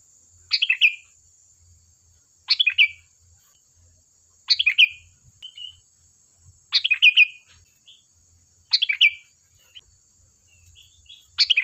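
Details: Sooty-headed bulbul in full song, played to coax other birds into answering: six quick gurgling phrases of three or four notes, falling in pitch, spaced about two seconds apart, with a thin constant high tone behind.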